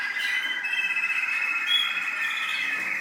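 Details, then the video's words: Smooth, rolling song of an American singer canary in the UAE, a steady whistled tone with a fine fluttering trill running through it, fairly even in volume throughout. "American Singer Canary"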